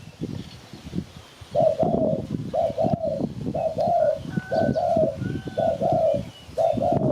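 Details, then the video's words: Spotted dove cooing used to lure birds for catching. After a quiet first second and a half, paired mid-pitched coos follow in regular groups. A faint, higher, thin whistled note from another bird is heard in the background. "Sound Spotted Dove Malay"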